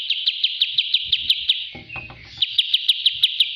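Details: Bulbul training song: crisp high chips repeated about three times a second, interrupted by a short burst of low rattling noise before the steady chipping returns.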